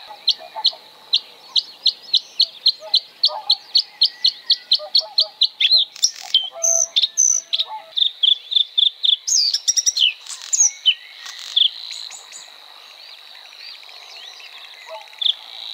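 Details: Bluethroat (Luscinia svecica) song opening with a long even series of clipped high ticks, about four per second, then breaking into varied buzzy and twanging phrases with a sustained high tone, followed by a quieter tail.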